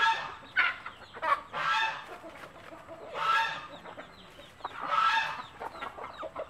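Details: Mother hen among native chicks, scratching and clucking to show them food is good to eat; broad, rough clucks repeat irregularly about every second, with several louder bursts rising out of a noisy yard.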